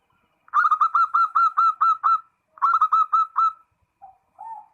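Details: Zebra dove (perkutut) calling a rival: a loud run of about ten quick, rich, rolling coo notes, a short pause, then five more, ending in two softer, lower coos against a quiet background.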